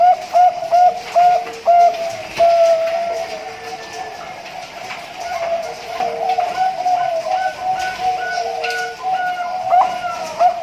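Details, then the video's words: A captive-bred zebra dove (perkutut) from a farm in Pasuruan, East Java, Indonesia, hatched 20 March 2023, coos in soft, mid-pitched notes in short bursts over a steady hum, with other doves faintly audible. "PERKUTUT BANGKOK SUARA LENGKAP"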